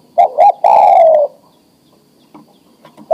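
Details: A breeding-ready adult male spotted dove calls a female to mate with a single phrase: two short hooked notes, then a long smooth coo falling in pitch, then near silence.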